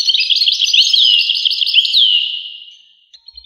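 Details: European goldfinch song: a fast, liquid run of twittering, tinkling notes with quick upward and downward slurs, fading out near the end before a short faint resumption.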